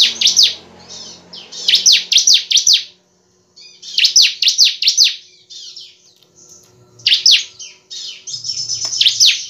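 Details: Bar-winged prinia, semi-crystal form, pouring out clusters of four or five shrill, descending chirps, interspersed with thin buzzy trills and short silences; a faint low hum runs underneath.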